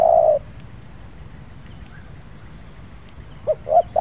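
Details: Spotted dove, a caged decoy bird in training, put down on the ground for its first outing in Indonesia during the rainy season, with a big, stuttering coo. One loud, low coo opens the clip, then after a pause three short coos follow in quick succession.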